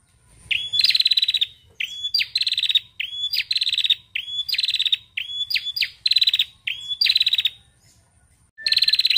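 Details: Female bar-winged prinia calling, a sound used to set silent prinias singing: a long run of about eight repeated phrases, whistled note plus rapid dry rattle, with a short pause before a final rattle.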